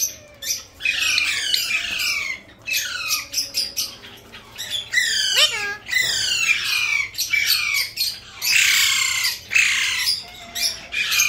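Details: A talking Alexandrine parakeet gives harsh, high, downward-sweeping squawks in rapid bursts, one after another with brief pauses; no clear words come through.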